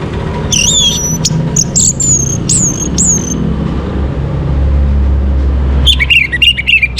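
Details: Morning orange-headed thrush song used to bring birds into breeding condition: a series of clear high whistles with downward-bending tails, a pause, then a quick burst of warbled chirping notes, over low background rumble.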